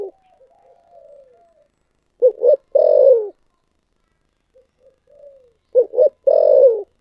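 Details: A spotted dove gives 'thổ sấm' (thunder voice) style cooing. Soft, wavering low coos lead into two loud short notes and a long, drawn-out falling coo. The phrase comes twice, with quiet pauses between.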